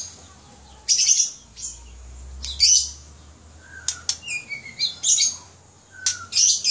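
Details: Captive white-rumped shama in Aceh, Indonesia, giving bursts of harsh, scratchy notes mixed with short clear whistles and high trills, the phrases separated by brief pauses, over a faint low hum.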